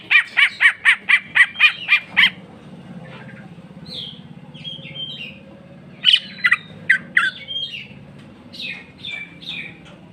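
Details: Greater green leafbird performing jamtrok song and its fill: a rapid string of about ten loud, sharp repeated notes, then varied whistles and a second burst of quick chirps over a faint low hum.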